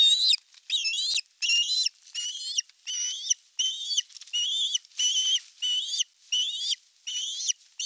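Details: Nest-cam osprey in Satakunta, Finland, 19 July 2022, during the male's arrival with a large fish: insistent, wavering high whistles repeated steadily about every half second, each slightly rising then falling.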